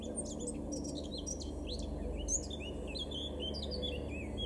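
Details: Continuous bright warbling from a male Eurasian blackcap in a Weener garden, northwest Germany, April 2022, with swooping, slurred high notes strung tightly together above a low noisy background.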